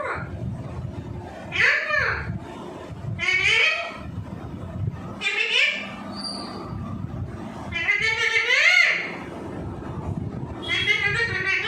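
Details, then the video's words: Talking pet parrot imitating the words "give me kiss"; five separate speech-like utterances with rising and falling harmonic bands, spaced irregularly a second or two apart, over faint low background rumble. "Best Talking Parrot Natural Sound. Tote Ki Awaz"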